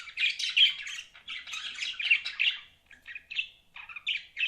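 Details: Continuous chattering from pet budgies, a rapid stream of scratchy warbles and short squawky notes with brief gaps, recorded in a small indoor space.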